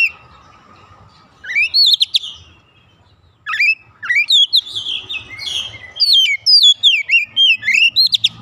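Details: Oriental magpie-robin, a raw untrained kacer under training, singing in full voice and unloading its mimicked fill-in repertoire: a short whistled phrase, a pause, then a long unbroken stream of varied chirps, upslurs and bright whistles.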